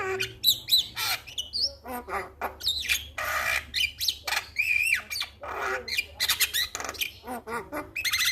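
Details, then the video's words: Male Javan myna in full song, a master recording meant to set other mynas singing: rapid jumble of harsh squawks, creaky clicks and bright whistled slurs, with raspy buzzing bursts between loud chattering phrases. "Masteran jalak Kebo jantan Suaranya Bikin Burung jalak Anda Langsung Bunyi"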